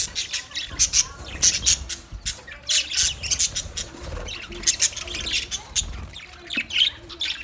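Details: Colony of budgies chattering together, many short high chirps and squawky notes overlapping in a steady busy stream, with faint lower murmurs beneath.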